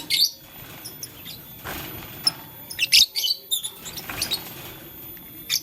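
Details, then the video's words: Lovebird in blue, lutino and green colouring, playing with a flower: scattered short, high, sharp chirps, with a denser cluster of shrill notes near the three-second mark, over quiet background hiss. "Blue Lutino Green LoveBird Playing Flower - Chirping Sound"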